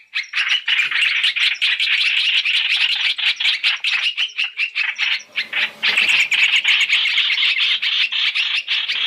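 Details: {'caption': 'Lure recording of black-throated laughingthrush for trapping, three calls in one. Relentless rapid chirping holds steady, broken by a short rough scratchy patch around the middle before the high chatter returns.'}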